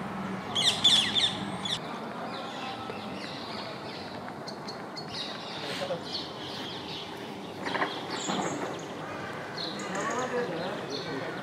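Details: Rose-ringed parakeets in the Governor's Garden near the old city in central Baku, Azerbaijan, giving harsh, high screeching calls in short bursts, loudest near the start and again midway, over steady background noise.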